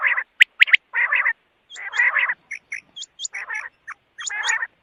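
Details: Quail uttering rough, nasal, buzzy bursts in short clusters, mixed with sharp clicks and brief high hooked whistles.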